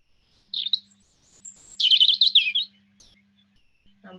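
A European Robin sings short, high, twittering phrases that tumble quickly up and down, separated by brief pauses; a faint low hum runs underneath.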